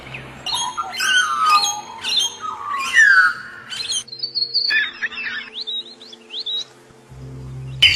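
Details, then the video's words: Bird song in the wild, a jumble of harsh squawky notes and sliding whistles, followed by a run of thin, high chirps, over a low background hum. "kicau burung di alam liar"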